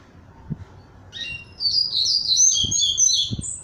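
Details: Caged double-collared seedeater coming out of moult, thinner and eager to sing, gives a sustained rapid phrase of high, sweet twittering notes; a few soft low knocks sound in the background.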